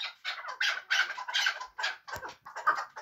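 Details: Hunting chukar partridge from Muminobod uttering a short, uneven burst of loud, hoarse clucking notes with small gaps between them.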